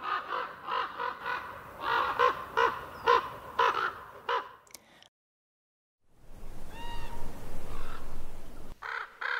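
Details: Common raven calls in a rapid run of rough, grating croaks, roughly two per second, then a short silence, a faint wavering higher note, and a final burst of harsh croaks.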